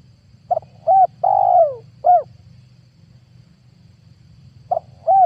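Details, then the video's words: Spotted dove calling as a 2022 lure for trapping wild doves. The first phrase of clipped note, short coo, long falling coo and short coo is followed after a pause by the start of a second phrase. A low hum continues throughout. "PANGGILAN TUKUKUR PIKAT 2022 COCOK BUAT PANCINGAN TEKUKUR LIAR"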